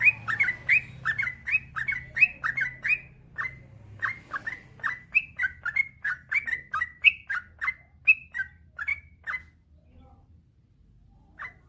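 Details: Long singing spell of a male yellow-vented bulbul, played to stir other bulbuls into song: fast chain of chirpy slurred notes that slows and fades, ending with near silence and one last note.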